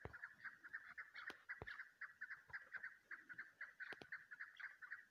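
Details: Female chukar calling, a bird used for hunting: continuous rapid chattering clucks, about two per second, evenly spaced and mid-pitched, interrupted by a few sharp clicking knocks.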